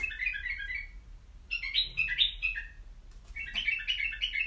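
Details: Caged white-eared bulbul delivering three lively warbled phrases, each a rapid cluster of liquid, slightly rising and falling notes, with short gaps between them.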